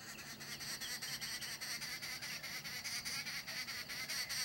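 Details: Arrow-marked babblers at a hide in Pilanesberg National Park, South Africa, on 28 December 2016, chatter in a harsh, nasal, rapidly repeated chorus, with raspy notes tumbling over each other about twice a second.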